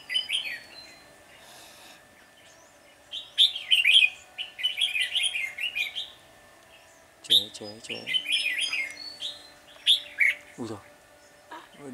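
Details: Red-whiskered Bulbul flock leader chattering aggressively at a caged decoy bird during trapping, 10 February 2020; harsh, scratchy chattering bursts with short high notes, in clusters around the fourth second and from the seventh second on, with brief human speech mixed in.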